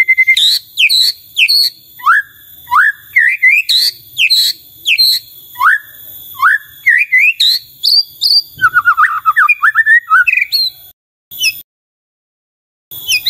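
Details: Repeated high whistled phrases from a white-rumped shama, rising and falling, with sharp chips and a fast descending series near the end before the sound cuts out.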